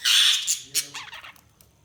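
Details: Budgerigar giving a loud, harsh squawk followed by a few quick scratchy chirps that fade out.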